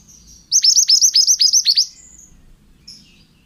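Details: Pied bushchat male singing strongly, recorded to train other songbirds: one quick burst of about nine bright, high, down-swept notes lasting roughly 1.3 seconds, then faint scattered chips.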